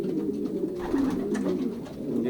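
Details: Racing pigeons in a young-bird loft in Poland during the 2023 pairing season, many birds cooing at once indoors: overlapping low, rolling coos that rise and fall continuously, with faint shuffling in the background.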